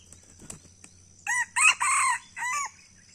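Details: In Aceh, a red junglefowl near the camera crows once: four coarse, buzzy segments, the longest in the middle and the last sliding downward, preceded by a few soft clicks and rustles.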